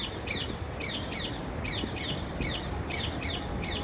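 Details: Repeated parakeet chirps, each a quick descending squeak, coming in small uneven clusters over a dull low-frequency background noise.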